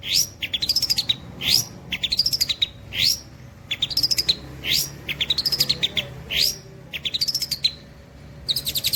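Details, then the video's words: Long-tailed shrike imitating another bird's song: high, arched whistles that rise and fall, each paired with a rattling, buzzy burst, repeated roughly every second and a half. "CENDET NEMBAK CILILIN TEMBUS BOLO"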